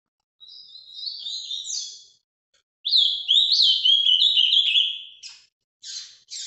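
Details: Captive azulão (Ultramarine grosbeak) in Brazil performing its Paraná vinte vinte song live: a soft warbled phrase, a short break, then a louder run of descending whistled slurs ending in two buzzy notes.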